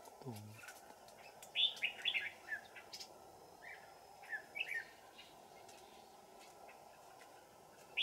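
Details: Song of red-whiskered bulbuls at a trap set deep in the mountains on a cold afternoon, 15 December 2018. A few short, sharp warbled phrases come in two bursts separated by quiet stretches, with faint background hiss.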